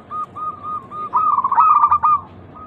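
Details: Zebra dove of the local type, recorded as a lure to make other doves sing: soft spaced coos build into a louder, rapid bubbling trill before fading back to low single notes.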